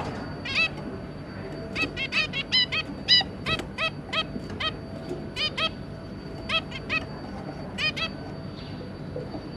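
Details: Zebra finches, a pair with three juvenile young, 2 August 2022, calling busily: a fast irregular stream of nasal, trumpet-like beeps, sometimes in quick clusters, over a faint low background hum.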